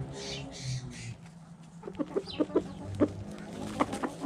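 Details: Backyard hens playing in the dirt, with short low clucks repeated irregularly through the second half, preceded by soft rustling and scratching noises.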